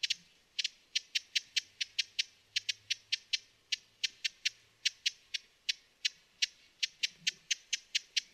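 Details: A Broad-billed Hummingbird (Cynanthus latirostris) calls: dry, high, ticking chips, often doubled, about three or four each second in a steady chatter against a quiet background.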